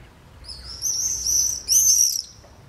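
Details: Common swifts active in the morning around nest boxes under house eaves in Beek, 7 July 2012, with one pair raising three nearly fledged young. Two bursts of shrill, buzzy, high screaming, the second louder and longer, over a quiet background.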